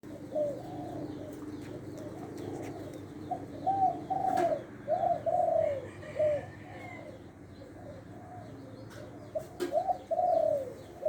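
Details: Caged spotted dove kept as a decoy bird from Lopburi, Thailand, with a medium-pitched voice in the one-kuk style, giving repeated low, rounded coo phrases in bursts with short pauses, over steady background hum and faint clicks.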